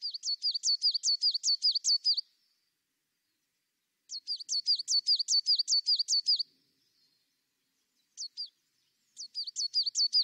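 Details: High, rhythmic tit song in repeated strophes of evenly spaced paired notes, each strophe about two seconds long, with clean silence between bursts and a short fragment before the last strophe.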